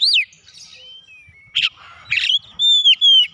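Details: Oriental magpie-robin for training caged birds to sing. One sharp falling whistle opens, then a thin drawn-out note and two harsh, buzzy bursts. Smooth sustained whistles close the passage.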